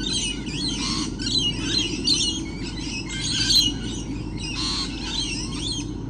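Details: Lorikeets in large numbers on 28 November 2013, giving a constant shrill chatter of rasping, high screeches that pile on top of each other, with a low background hum throughout.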